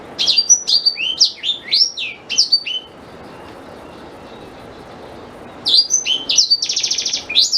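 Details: Black-throated canary song for tutoring a white-rumped shama: a run of rapid high chirps and slurs, a silent gap of nearly three seconds, then more sweeps ending in a buzzy trill.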